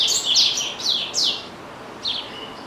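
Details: Caged pet double-collared seedeater in full song, loud bright downward-slurred whistles and sharp high chirps packed closely together, then a pause and one softer chirp with a thin trailing note.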